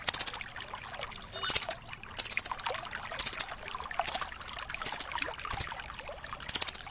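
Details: Red-billed velvet-fronted nuthatch, the 'rambatan doraemon', used to tutor cage songbirds; shrill rattling bursts of four to six quick high notes, spaced about every 0.7 seconds, over soft background hiss.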